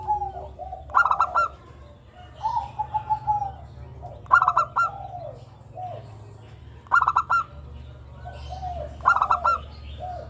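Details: Zebra dove of a local type, in full voice, used to lure other birds: four quick pulsed, trilling coo phrases, each followed by softer lower-pitched cooing notes, with a constant faint high-pitched hum behind.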